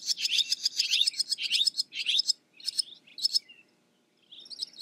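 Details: Dense, rapid scratchy twittering from a barn swallow that thins into separate sharp chirps, with a soft warble at the end.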